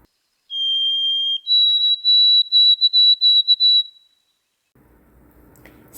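White-throated Sparrow song: one long, pure whistle, then a slightly higher run of quick, evenly repeated whistled notes, ending in faint low rustling.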